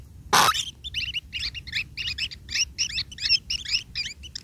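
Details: After a sharp loud rustle, long-tailed shrike chicks fed by a parent break into a rapid series of grating, clustered chirps that continue to the end.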